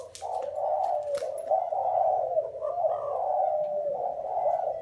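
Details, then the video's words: Several spotted doves, from lines compared as Thai and Vietnamese, coo together in a steady, rolling, low murmur with small pitch swells and no breaks, over a faint low hum. "Giữa 2 dòng chim gáy ae chọn thái hay việt"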